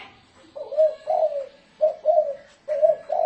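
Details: Loud spotted dove decoy call in 'thổ rền' style: three groups of deep, slightly wavering coos, each phrase made of two or three notes separated by short silences.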